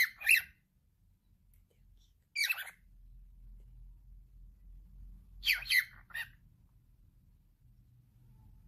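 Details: Pet male cockatiel talking: three short, raspy, speech-like bursts near 0.3, 2.5 and 5.6 seconds, each a quick cluster of harsh syllables, over a faint low room hum.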